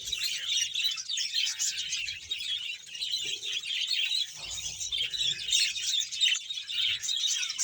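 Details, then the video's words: Colony of about 100 budgerigars in Bahawalpur: a continuous, dense wall of high chattering, warbling and chirping from many birds at once, with faint low thumps underneath. "budges sound"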